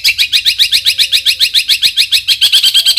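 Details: Long-tailed shrike song used to provoke other shrikes into singing: a fast, steady run of harsh, chattering notes repeated more than twice per second, each dipping and rising, with a faint low hum beneath.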